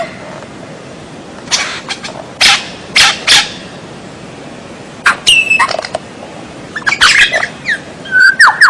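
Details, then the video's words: White-rumped shama song used as a training recording for captive birds: scattered loud bursts of sharp broadband notes, brief whistles and a falling whistled phrase, separated by quiet gaps over steady background hiss. "MASTERAN MURAI BATU SUARA ANEH"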